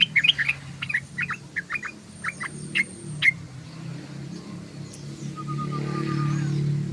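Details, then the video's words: Sooty-headed bulbul chattering: a string of short looping chirps for about three seconds, then fading out as a louder low rumbling noise builds and a faint flat whistle sounds. "SUARA BURUNG TRUCUKAN❗❗❗TRUCUKAN NGOCEH❗❗❗TRUCUKAN NGERIWIK❗❗❗"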